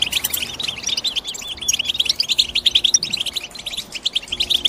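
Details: European goldfinch in rapid twittering: high, bubbling chirps with a few rising, slurred notes, pouring out without a break over faint background hum.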